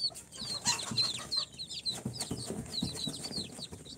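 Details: Day-four incubator chicks, Sultan, Golden Sebright, Cochin and booted, give clear high peeps, each a quick descending chirp, repeated in a lively, uneven stream over light shuffling noises.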